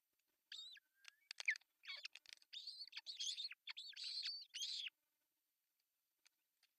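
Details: At an osprey nest in Finland on June 10, 2024, with the male bringing a fish for breakfast: a rapid, almost continuous run of shrill whistled chirps for about four seconds, then quiet.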